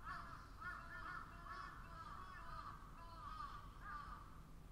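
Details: Crows cawing together in a chorus, harsh rasping caws overlapping and repeating roughly every second at a low, steady volume, with a faint rumbling background.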